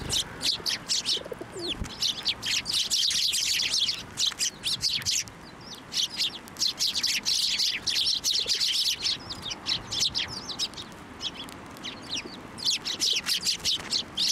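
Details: Sparrows gathered around and on a hand being fed at Tenmangu shrine, 18 March 2024, keep up steady waves of dense, high chirping. A low, brief sliding sound comes near the start.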